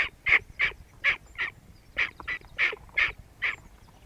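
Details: Hooded crow calling with rapid harsh cawing notes, roughly three per second, steady and repeated, with low background rumble.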